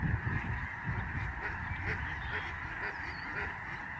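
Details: Lesser Snow Geese in a vast flock overhead at a Canadian migratory bird sanctuary, November 2011. Continuous overlapping honks form a dense chorus, with low rumbling noise underneath.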